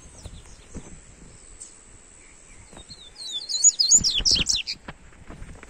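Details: Papa-capim coleiro, the Double-collared seedeater, in a warm-up recording: a lively run of rapid, high, bubbling and swooping notes lasting about a second and a half, preceded by faint chips and low rustling.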